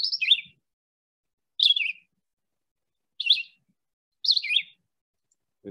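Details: A Red-eyed Vireo, a common canopy bird along a creek in central Alabama, sings four short, high, slurred phrases, each rising or dropping, about every second and a half. It keeps this up all day, like "look at me, way up high in the tree."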